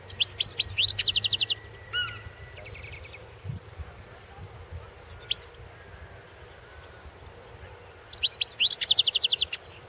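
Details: A European goldfinch entered in a 2016 world singing championship delivers three bursts of rapid, jingling, high twitters, with buzzy and whistled notes in between and a steady low hum.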